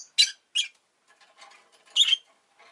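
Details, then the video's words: Pet rosy-faced lovebird gives two quick shrill chirps, soft twittering, then another loud rasping chirp and a faint final note. "Lovebird Chirping Sounds"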